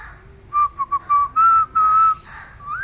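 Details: Parrot whistling in reply to its owners: a string of pure, steady whistled notes, short ones first then longer held tones, ending in a quick upward slide.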